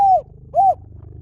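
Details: Two mellow downslurred coos from a spotted dove, lio tan song style, used to lure and train birds to answer. The notes are half a second apart over a faint low hum.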